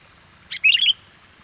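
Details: Sooty-headed bulbul giving an energetic lure call to bring wild birds closer: one sharp opening note, then a bubbling run of several quick, liquid, chirpy notes lasting about a third of a second.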